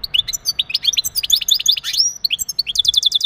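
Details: Male European goldfinch's mating song aimed at stimulating the female for breeding: a dense, continuous stream of high twittering chirps and upslurred whistles, closing with a quick repeated trill.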